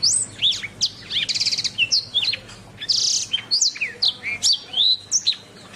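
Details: Masteran canary song for training songbirds. It opens with high whistled sweeps, then a buzzy rapid trill, a broad harsh buzz, and a run of bright slurred notes repeated at short intervals.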